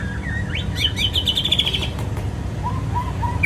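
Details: White-rumped shama singing: clear whistled notes and a rising slur, then a fast buzzy high trill held for about a second, followed by three short lower whistles, over a steady low background hum.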